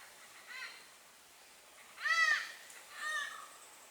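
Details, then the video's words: Malabar grey hornbill calling its mate: three harsh, nasal, arching squawks about a second apart, the middle one loudest, over quiet background hiss. "Malabar Grey horn bill calling it's mate"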